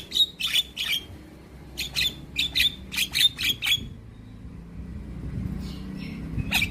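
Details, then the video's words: Young Javan myna singing: a run of short, sharp chattering notes with whistled accents, repeated rapidly for a few seconds, then mostly quiet apart from a low steady hum and a final harsh note. "Kicauan Jalak Kebo Muda Gacor"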